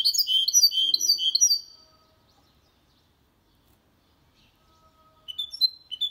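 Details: Hybrid of goldfinch with canary delivering a clean song for stimulating males and tutoring young birds; a burst of quick, high chirping twitters ends abruptly, then a long silence before a few clear notes resume.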